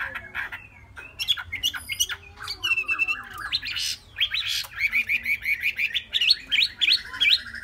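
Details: Three-month-old caged Chinese hwamei singing a varied, lively song: chirps, squawky notes and clear whistles, then bright whistled phrases repeated rapidly in quick succession toward the end, with faint low background hum.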